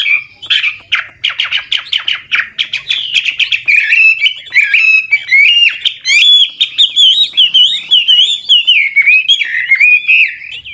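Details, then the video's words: Seasoned wild-origin Chinese hwamei decoy singing continuously to spur newly caught birds into song: a rapid run of bright, slurred whistles and trills, first choppy notes, then a smooth, rolling warble. "Tiếng chim họa mi mồi già rừng hót luyến láy đảo giọng liên tục, giúp kích chim bổi nhanh hót"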